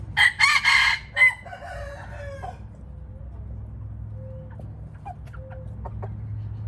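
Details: Red junglefowl crowing: a loud, harsh, broken crow of several rapid bursts in the first second, then softer scattered clucks and short notes over a steady low rumble of background noise.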